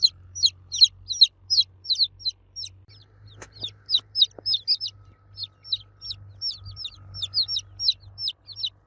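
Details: Baby chicks cheeping loudly for the mother hen: rapid high descending peeps, several callers overlapping, about two or three a second, with a low steady hum underneath and a brief click or two.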